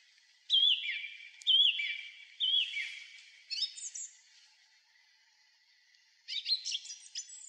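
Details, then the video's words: Song thrush on a tall pine top near a former railway crossing on the road to Krasnye Ozera, evening of 3 April 2023; one slurred falling whistle repeated three times, a pause, then a burst of high scratchy twitters. "Выступление с высокой трибуны певчего дрозда N-ского перед жителями Заречного"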